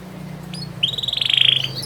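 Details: Canary master song for young birds: a brief, bright buzzy trill of quickly repeated notes lasting about a second, over a low steady hum.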